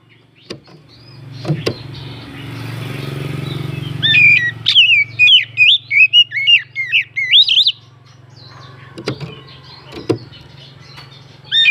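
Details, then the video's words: Oriental magpie-robin song, used to provoke other birds into singing: after a low hum and a few sharp clicks, a fast run of loud, varied whistled and chattering notes pours out for several seconds, then clicks and a final burst. "Pancingan burung kacer naikan emosi"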